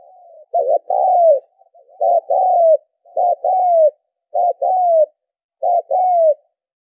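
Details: Spotted dove giving steady coo phrases, recorded as a lure for decoy-bird training; five evenly spaced phrases about a second apart, each a quick husky note and a longer falling note, with faint soft notes between.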